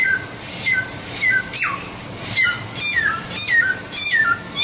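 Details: White-rumped shama singing a training phrase sequence. Paired whistled notes repeat about every half second, broken by one strong falling sweep, with high raspy bursts above each phrase.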